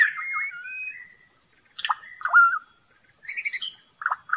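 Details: White-rumped shama song used as a lure: clear whistled phrases and sliding notes, a bright held whistle near the middle, then short buzzy chattering bursts with pauses between phrases.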